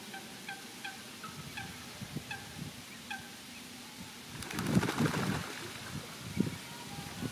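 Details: Grebe chicks riding on the mother's back as the father feeds them, in a Netherlands park; rapid series of thin piping calls, then a louder splashing burst midway through.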